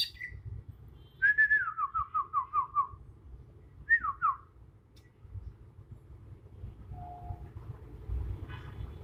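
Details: Bornean green magpie, young wild bird singing its natural song: a rapid series of about seven descending stepped whistles, a brief pause, then a short pair of downslurred notes, followed by quiet background.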